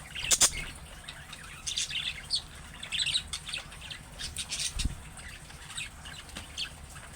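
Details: Budgerigar calls meant to draw an answer from other budgies: scattered sharp high chirps and short warbled phrases in irregular bursts, one loud click near the start, over faint low hum.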